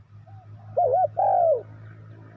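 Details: A spotted dove used to attract wild doves for trapping gives a soft lead note, a wobbling double coo and a long sliding croo, over a steady low hum.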